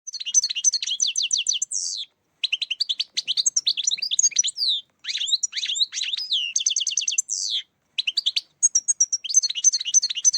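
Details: Goldfinch song used to lure birds into traps; long chattering sequences of fast twittering notes, rattles and downward buzzy slurs, broken by brief pauses, sustained and high across ten seconds.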